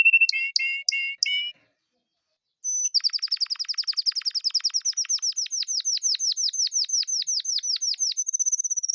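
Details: Male domestic canary in song: a few sharp repeated chirps, a short pause, then a long fast tour of bright whistled notes, each dropping in pitch, repeated many times per second and closing on a higher steady trill.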